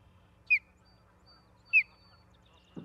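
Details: Osprey calling at its nest in Charlo, Montana, on 17 August 2023, seen on a live cam: two sharp, high, down-slurred whistles about a second apart over a low steady hum, ending in a brief thump.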